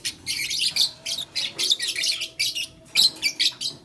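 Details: A steady stream of short, rough, high chirps, roughly three or four per second, comes from blue, lutino and green lovebirds playing with a flower.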